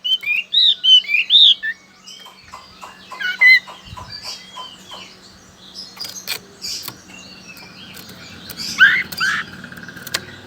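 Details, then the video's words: Loud Chinese hwamei in Sokaraja, Banyumas, Central Java, Indonesia: a quick burst of looping, warbled whistles at the start, then scattered clicks and soft chirps with a steady low hum, ending in a brief bright whistled flourish. "Suara burung whamei"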